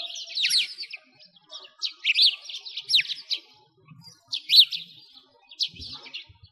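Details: Sparrows in Bratislavsky Park, Moscow, by a frozen lake in winter: short bursts of sharp, scratchy chirps, each about half a second, separated by brief pauses.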